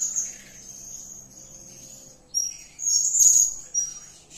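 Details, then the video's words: High, needle-thin trilling from a blue-crowned hanging parrot in lively 'gacor' calling, soft at first, then a sudden louder burst of shrill chirps near the end. "Edisi Suara Serindit Gacor || suara gacor si Sayap Kuning memanggil"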